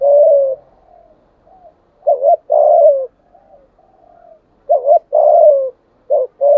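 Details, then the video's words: Spotted dove in 'giọng thổ' voice calling wild birds to come and fight: repeated low coo phrases, a brief doubled note then a long falling tone, with faint soft murmurs between phrases. "cu gáy giọng thổ đủ bài thúc gù + gáy gọi bổi rừng lẹ về cội đấu với"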